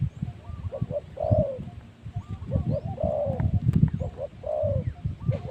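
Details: Decoy spotted dove used to lure wild spotted doves at luring spot 136. Soft, low, mellow cooing phrases repeat about every two seconds over steady low rumbling background noise, with faint chirps from other birds.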